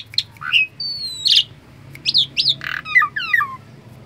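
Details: Asian pied starling, a chatty caged bird refusing to bathe and chattering instead: quick varied whistles, squawky bursts and descending slurred notes in rapid irregular sequence, with a low steady hum underneath.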